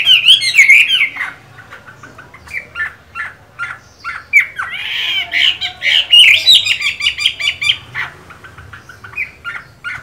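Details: Moulting Chinese hwamei in a cage delivers a loud slurred whistled opening, a pause of short chirps, then a burst of fast repeated notes and scattered calls.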